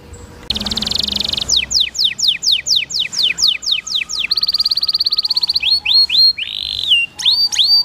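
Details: Canary masteran song with flowing water, used to coax caged canaries into singing: a noisy opening burst, a run of quick descending whistled sweeps, a long even buzzy trill, then slurred upswept notes over a constant low hum.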